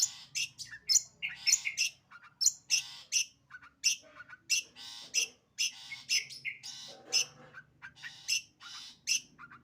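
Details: Long-tailed shrike pouring out sembur song, harsh, buzzy phrases and sharp high squeaks tumbling one after another, with a faint low hum behind.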